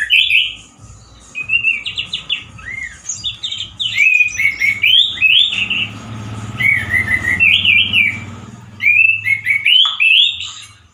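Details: Orange-headed thrush, male, singing loudly and harshly as in the wild: a long run of looping whistled phrases, each rising and dipping, repeated with short gaps, in a small range of variations, over a low background hum.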